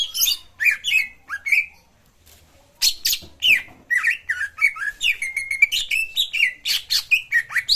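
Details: Cucak ijo singing, used as stimulation for a bird that has stopped singing: chattering and whistled notes, a brief pause, then a long lively run of varied chirps, trills and sliding whistles.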